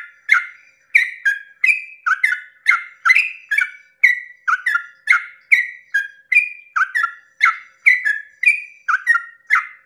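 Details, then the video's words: A yellow-vented bulbul at dawn delivers a long 'ropel' song meant to rouse other bulbuls to sing. Around twenty quick, bubbly whistled notes pour out over ten seconds, steady and lively, with no other sounds. "pancingan trucukan ropel panjang subuh pagi hari merangsang emosi trucuk lain agar ikut bunyi Ropel"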